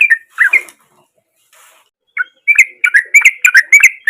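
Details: Sooty-headed bulbul with a natural voice from the wild, used as a lure to get a silent bulbul singing: a few chirps, a pause, then a lively run of bubbling, slurred whistled notes in quick succession.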